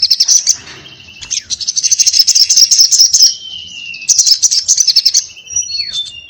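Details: Crimson sunbird in lively full 'ngobra' fighting-style song, 'tarung ngalas'. High, very rapid buzzy trills in bursts, with thin drawn-out whistles sliding between them, all loud and close.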